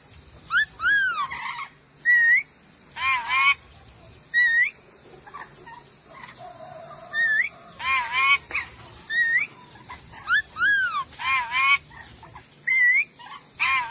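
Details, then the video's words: Nuri dora lorikeet of Sulawesi in a tutor recording: a rapid run of harsh, grating shrieks, several sweeping up or down in pitch, uttered in brief bursts roughly every second, with light background hiss. "MASTERAN BURUNG NURI DORA SULAWESI"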